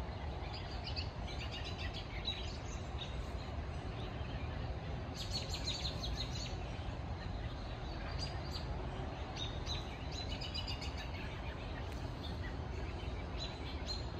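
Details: Birds calling on a rainy day: short, high chirps and chittering notes in loose clusters, busiest around five and eight seconds in, over a steady, heavy hiss of rain.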